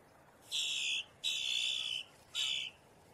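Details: Boat-tailed grackle alarm or warning call: three loud, buzzy, harsh notes, each about half a second to a second long, separated by short gaps, steady in pitch and tone.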